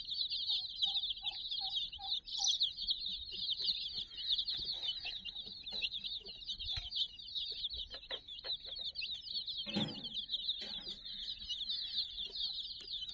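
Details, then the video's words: Flock of about sixty chicks chirping in a steady, dense, high-pitched peeping chorus; a short row of low beeps early on, scattered clicks and thuds, and a low voice-like burst midway. "silly chicks chirping"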